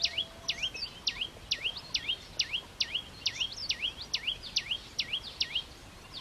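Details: Red-headed flowerpecker singing a fast series of sharp notes, each sweeping steeply down then rising again, about two per second, high and clear over faint background hiss.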